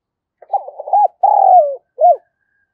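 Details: Lure-calling decoy spotted dove: a hesitant series of short mid-pitched coos leads into a sustained, throaty coo that slides downward, ending with a single short arched coo, in a silent background.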